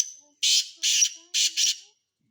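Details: Close Sindhi black francolin: a thin tone leads into four loud, harsh, hissing-rasp syllables in a two-plus-two rhythm lasting about a second and a half.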